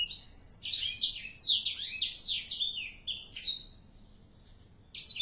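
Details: Young black-throated canary, four months old, singing keenly: about three and a half seconds of fast, jumbled, high warbling notes, a second of near quiet, then the song resumes.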